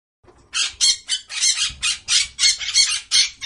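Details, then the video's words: Parrot giving a rapid series of about ten harsh, raspy squawks in just over three seconds, each burst short and broadband, with brief gaps between calls and no other clear sounds. "Parrot Sound"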